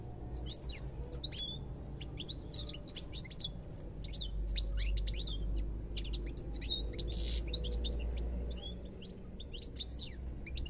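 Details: Rapid, jangling twitter from a European goldfinch, about four notes a second, mixing sharp chirps, brief trills and thin whistles, a low rumble swelling midway.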